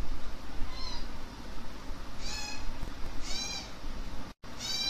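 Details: Hand-fed African grey parrot chick uttering three nasal, harmonic whining calls roughly a second apart, each rising slightly, over a constant low hum and hiss.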